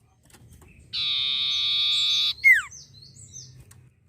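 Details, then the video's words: Vigorously calling long-tailed shrike, known as sirtu: a steady harsh buzz of about one and a half seconds drops into a sharp descending slurred note, followed by faint high chips. "pancingan sirtu gacor"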